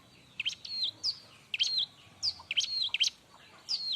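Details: Bar-winged prinia, loud lively song used to tutor other birds: sharp chirps followed by level high whistled notes, in short phrases about every half second to a second.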